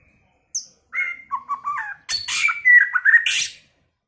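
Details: White-rumped shama singing with many voices, early in the season: a varied run of whistled notes around the middle register, then a dense burst of harsh high chatter and bright rising whistles, all within about three seconds.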